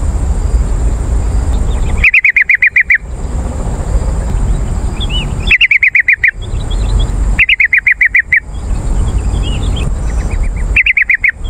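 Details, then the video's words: Yellow-vented bulbul lure call for attracting wild birds in forest or garden. Four bursts of rapid, bubbly chattering notes, each about a second long, spaced a few seconds apart. Steady background hiss with faint distant chirps between bursts. "CEPAT RESPON PANCINGAN BURUNG TRUCUKAN AMPUH"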